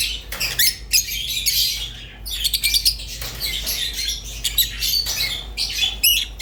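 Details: Budgerigar singing: dense, scratchy high chatter broken by short gaps, with rapid clicks and squeaky notes and a steady low hum underneath.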